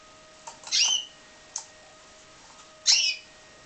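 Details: Pied Timbrado canary, captive bred, producing two loud harsh chirps about two seconds apart with a brief click-like note between them, against a low steady hum.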